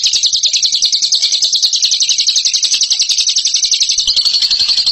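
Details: Bird giving a loud, fast chattering call: high buzzy notes rapidly repeated in an unbroken run, shifting slightly higher near the end.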